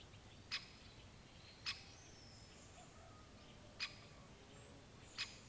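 A great spotted woodpecker gives four sharp, high 'kik' notes, each single and abrupt, spaced one to two seconds apart over a faint, steady background hiss.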